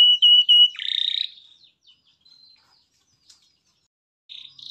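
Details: Canary singing in a lively, ornate style with rich varied phrasing: two clear steady whistled notes, then a buzzy trill, soft scattered twitters and a brief buzzy burst near the end, with silence between.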